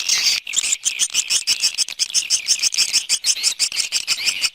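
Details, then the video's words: Swiftlet external sound recording: fast, rhythmic high chirps, roughly three per second, buzzy and bright, in a steady stream after a short opening burst. "Free Swiftlet External Sounds"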